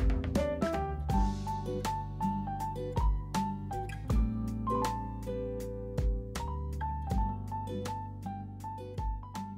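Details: Only background music is heard, with piano notes over a steady drum beat and no animal sounds.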